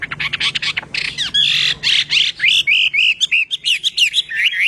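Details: Harsh rapid chattering and scratchy squawks from a Chinese hwamei practising its song, giving way to a string of bright rolling whistled phrases, with a soft low hum behind.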